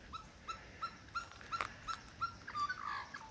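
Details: Male superb lyrebird in the Dandenongs showing off his repertoire to a female: a series of short, yelping notes repeated about every third of a second, with a brief harsher burst near the end.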